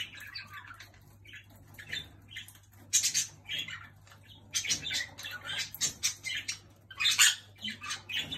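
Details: Pet jenday conure pestering another bird indoors: soft scratchy chatter and squeaks between bursts of harsh, grating screeches near the middle and end, with a steady low hum underneath.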